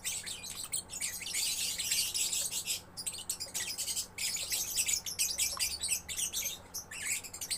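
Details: Young lovebird chattering almost without pause: a steady stream of harsh, high, buzzy twitters with only short breaks and a few sharp squeaks, over a quiet low hum.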